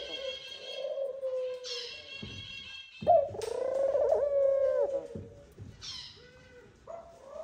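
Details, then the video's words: During courtship at the nest, a male Eurasian collared dove calls the female in with sustained, humming coos broken by short gaps, while bright high twitters of other birds come and go. "tórtola macho llamando al nido a la hembra"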